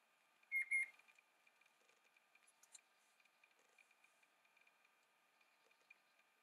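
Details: Bluebonnet (Northiella haematogaster) in a garden at Patchewollock, Victoria, Australia, gives two quick, clear high whistles in its first second, then goes quiet over a faint steady high hum and soft scattered ticks.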